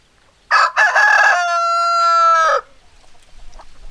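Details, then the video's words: A rooster crows after half a second of quiet, opening with two choppy rasping notes, then holding a long, clear, even tone for about a second before cutting off. Faint clucks and rustling follow. "Chicken Sounds Noises Hens Clucking Roosters Crowing"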